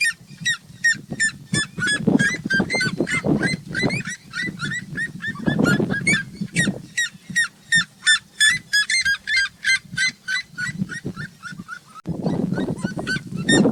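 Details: Three free-living red-legged seriemas singing as they sunbathe, a long chorus of loud yelping calls repeated several times a second, voices overlapping and rising in bouts, with harsh lower cackling between.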